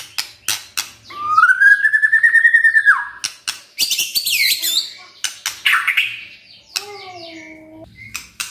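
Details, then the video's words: Kretekan and tembakan singing by a white-rumped shama, with a long rising, rippling whistled phrase, harsh scratchy chatter and clicks, and a lower drawn-out whistled note near the end. "KRETEKAN DAN TEMBAKAN murai batu full isian"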